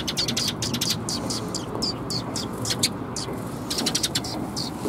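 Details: Several sparrows recorded on 23 March 2021, chirping in quick bursts of short, sharp, high chirps that overlap irregularly, with a steady low rumble of traffic or machinery underneath.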